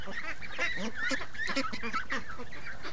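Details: Free-range ducks in the morning, a flock calling together: dense overlapping nasal quacks and honks layered over one another, with no pause through the short stretch.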